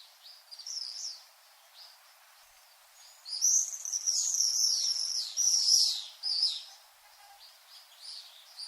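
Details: Common swifts sending out piercing, drawn-out screeching trills, faint at first, then a long loud shrill burst sweeping past in the second half.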